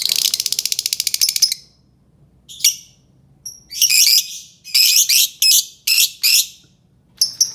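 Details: Albino lovebird opening with a fast, harsh, buzzy rattle lasting over a second, followed after a pause by a series of loud, scratchy, high chattering bursts and squeaks, several in quick succession.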